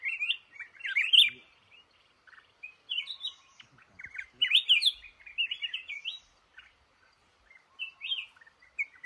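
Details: In a cashew orchard, a trapped male red-whiskered bulbul sings bright, fluty, warbling phrases in irregular bursts, with short pauses and a clean background.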